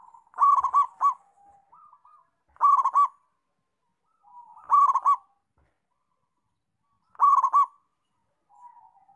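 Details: Active local zebra dove repeats its staccato rolling coo phrase four times, roughly every two and a half seconds, with soft lower coos from other birds between the phrases.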